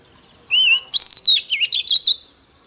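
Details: Female Oriental magpie-robin song used to provoke males into singing. One rising-falling whistle, a short pause, then a loud high note and a run of five or six quick, looping whistled syllables.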